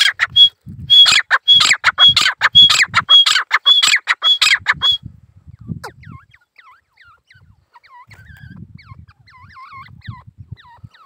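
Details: Male grey francolin alone in the jungle: about five seconds of steady, loud, grating calls repeated roughly every half second, each topped by a whistle. Then it falls quiet, leaving soft twittering of other birds and a low murmur.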